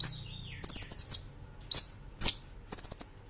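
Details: Brown-throated sunbird, master recording made for tutoring cage birds, singing 'nembak ngerol' style: a fast rolling trill of about six high pulses, then loud shrill upslurred whistles, with the trill returning at the end.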